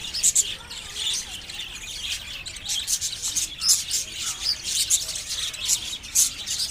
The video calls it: natural sounds of the little birds chirping